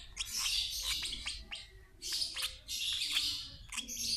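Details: Lovebird chick fed by its older sibling of the same parent pair, giving dense, piercing high chirps in rapid clusters separated by brief pauses.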